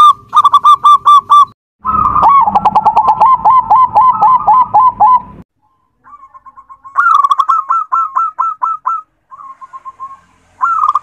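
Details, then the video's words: Local zebra dove song: bursts of quick, bubbly coos near one pitch, strung in fast rows, with short pauses between phrases and a louder, buzzier middle stretch. "SUARA PERKUTUT LOKAL"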